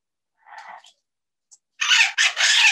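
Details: Two parrots at a bird safehouse, reportedly using English words in calls to each other; a soft muffled speech-like utterance, a brief pause, then two loud harsh broadband screeches in quick succession.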